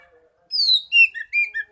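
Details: Oriental magpie-robin song meant to prompt a mute bird: a long descending whistle followed by several short, clear slurred notes in quick succession.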